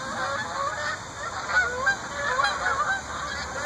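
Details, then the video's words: Flock of geese passing overhead at Shaker Heights beneath an orange-tinted sky, honking repeatedly in a loose, overlapping chorus of nasal calls that swell and fade, against constant background hiss. "Geese Fly-by"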